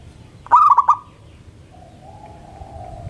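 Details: Single morning phrase from a local zebra dove: a fast rolling run of four coo notes with a brief hum, followed by a faint, long, lower drawn-out tone.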